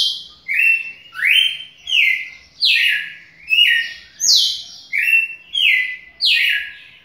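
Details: A captive red-cowled cardinal sings a run of loud, clear whistled phrases, each sliding downward.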